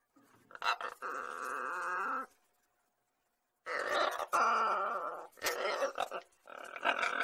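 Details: Talkative pet lorikeet in a home: a drawn-out nasal, harmonic sound, a pause, then a run of rougher, choppy speech-like bursts with scratchy clicks between them.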